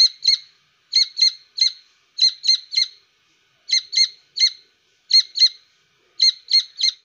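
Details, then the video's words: Grey francolin chick gives sharp, high squeaky peeps in quick pairs and triplets, one group roughly every second, in otherwise quiet surroundings. "Teeter ka bacha"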